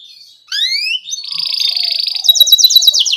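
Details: Canary song meant to prompt young canaries to sing: a pair of rising whistled slides, then a sustained harsh buzzy trill giving way to fast repeated chirping notes.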